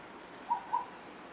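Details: Asian koel, one of two birds playing together; two brief whistled notes in quick succession, a quarter second apart, over soft background hiss.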